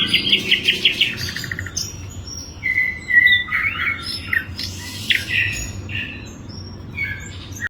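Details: Asian brown flycatcher opens with a fast chattering series, then gives long buzzy notes, slurred whistles and sharp chips in irregular bursts above a low hum.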